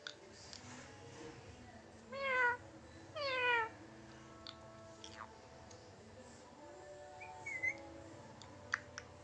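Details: Pet Indian ringneck parrot copying a cat's meow: two clear, nasal "miaoon" calls about a second apart, then faint clicks and a short whistle-like note later on.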